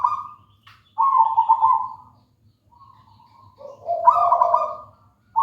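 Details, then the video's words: Local wild zebra dove (perkutut) singing: a high trilled coo, a pause with faint notes, then a loud double-layered purring coo, high and low together, before the next phrase starts. "Suara merdu perkutut lokal alam gacor"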